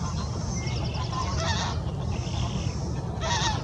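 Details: Young Eurasian spoonbill (Platalea leucorodia) following behind an adult, begging for food with hoarse, nasal, honking calls in two short bursts over a steady low rumble of wind.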